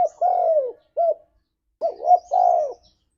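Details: Spotted dove in wild-style (ngalas) cooing used as a lure to make captive doves answer: low, hoarse, arched coos, a long note, a short one, then a quick stutter into another drawn-out coo.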